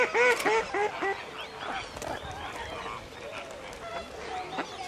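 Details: Radjah shelducks at WWT Slimbridge: loud, harsh, honking calls in a quick series of about four notes, followed by softer chattering calls from several birds.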